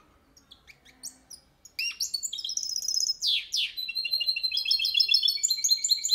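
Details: Goldfinch × canary hybrid singing a clean Málaga-style song, used to train young birds: a fast, high run of twittering trills and liquid chirps rolling on continuously after a few soft opening notes.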